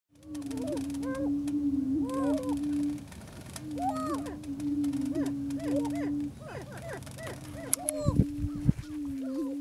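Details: Attwater's prairie chicken, an endangered subspecies of the greater prairie chicken found only at three sites in Texas. A steady low droning hum runs almost throughout, overlaid with repeated short rising-and-falling whooping notes. A few sharp knocks are heard near the end.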